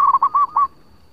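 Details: Zebra dove of the local type, sung as a lure: a brief run of four soft, rounded cooing notes in quick succession, then quiet.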